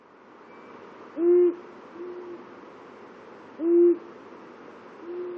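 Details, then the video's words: Two male long-eared owls (Asio otus) at the border of their territories trade low, soft single hoots: a near bird about every two and a half seconds, a fainter one answering between, over a quiet hiss. "Two males at the border of their territories"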